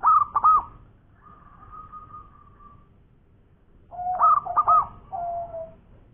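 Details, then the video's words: Local zebra dove singing in the ngowor koar koar style: a burst of quick looping coo notes, then a long steady mid-pitched tone of nearly two seconds, and after a pause another quick coo burst with lower drawn-out notes. "Perkutut Lokal Gacor Suara Ngowor Koar koar Bihari"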